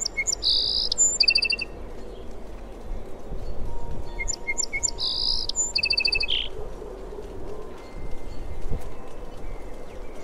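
A Song Sparrow sings two bright phrases, each opening with a few clear notes, then a buzzy burst and a quick trill, over a low steady rumble.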